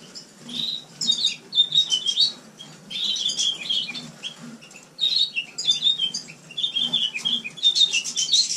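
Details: A captive House Finch, recorded indoors in a shared room in winter, sings bright, rambling warbled phrases of quick chirps and slurred notes in one-to-two-second bursts; in spring the song gains more whistles.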